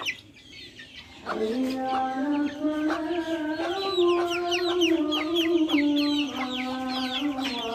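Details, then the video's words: After a quiet start, backyard chickens raise a long, low, nasal, sustained call that pulses and wavers in pitch, with many high chirping peeps overlapping throughout. "Backyard chickens making noise"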